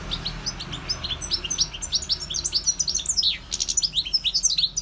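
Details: Wild European goldfinch singing: a continuous, rapid, liquid twitter of short high chirps and trills, with fast rising and falling notes packed closely together across the whole stretch and no pauses.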